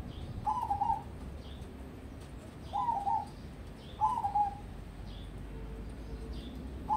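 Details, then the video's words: Crossbred local zebra dove, a contest prospect, repeating short staccato trilled coos: three phrases spaced a few seconds apart over a steady background hiss. "Perkutut Crossing Prospek Untuk Lomba"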